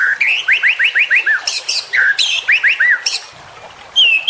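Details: Juvenile white-rumped shama repeating quick upward-sweeping whistles in fast runs, mixed with sharp high notes, then a brief quiet gap before a final high whistle.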